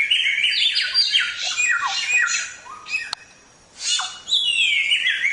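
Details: Samyong singing a lively tutoring song used to train caged songbirds: fast, varied whistled and scratchy phrases that slide up and down, in dense bursts, a brief pause near the third second, then more bright descending whistles.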